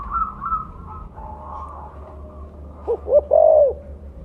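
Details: Lure calling by a mottled 'blorok' spotted dove with a loud voice: thin whistled notes from other birds come first, then a rising group of deep coos closing on a long, bowed coo.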